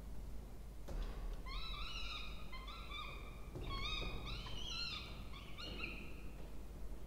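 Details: Peregrine falcon nest with two chicks being fed, Charles Sturt University water tower, Orange, Australia, 20 October 2024; a continuous series of excited, wavering whining calls, some rising in pitch, amid thumps and low hum.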